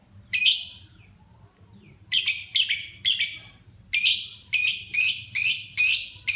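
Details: Pet lovebird, a child's favourite, beginning to sing in full voice with loud grating chirps, one alone, then a run of repeated harsh squeaky notes at a quick, uneven pace.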